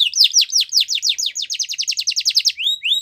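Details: Yorkshire canary training song for young birds: a steady series of quick descending high notes, about two to three per second, closing with two upward-slurred whistles.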